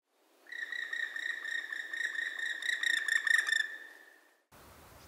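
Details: Black woodpecker call: a sustained, ringing, slightly rasping call of rapid pulses, about four seconds long, cutting off abruptly into faint background noise.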